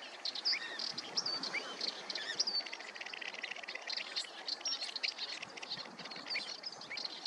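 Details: Pied avocet (Recurvirostra avosetta) calling: sharp, high chirping notes, some with quick upward or downward slurs, come in dense, overlapping bursts from start to finish over a steady background hiss.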